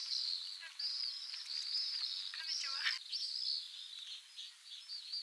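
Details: Breeding Pacific swifts in Mongolia give sustained shrill, rippling screams in a steady high band, joined by short lower chirps and scratchy sounds midway.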